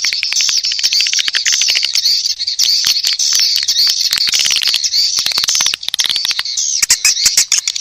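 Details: Mating call of edible-nest swiftlets, played to attract them to a nest house. A loud, unbroken wall of shrill twittering and buzzing chatter runs throughout, threaded with rapid clicks and a few short downslurred notes.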